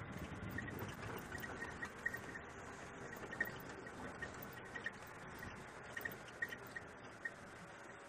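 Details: Steady low road and engine rumble with faint clicks and ticks, and no animal voices.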